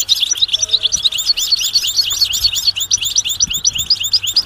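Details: European goldfinch 'batbata' twittering, mating and readiness calls that make a silent male sing: fast, regular, bright high chirps, several each second, forming a ringing, almost mechanical run, with a soft low hum behind.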